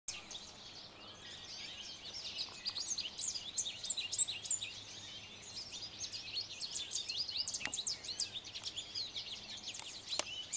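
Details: Male American goldfinch (Spinus tristis) singing from atop a branch: a long, fast, high twittering run of varied chirps and trills without pause, over a faint low hum.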